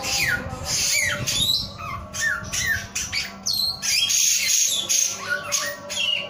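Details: Male samyong in full song, alternating slurred descending whistles with rough buzzy bursts and a few high thin notes, over continuous background hum.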